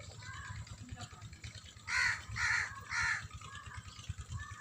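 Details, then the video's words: Three loud, hoarse honks about half a second apart come from white farm geese enjoying the water, with quieter chatter and a low rhythmic hum in the background. "Geese Wighte Geese Happy Happy in farm"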